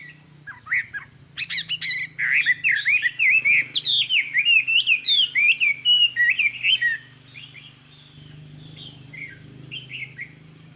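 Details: Chinese hwamei used as a lure bird, singing a clear, far-carrying song to excite wild birds: a rapid run of varied, ringing whistled notes, swooping up and down, bursting after an opening chirp, then trailing off into softer phrases over a low steady hum.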